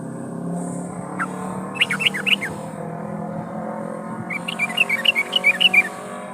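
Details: Yellow-vented bulbul calling a rival: bursts of short, loud, bubbling whistled notes around two to four kilohertz, one cluster near two seconds and a longer run near five seconds, over steady low hum and background noise.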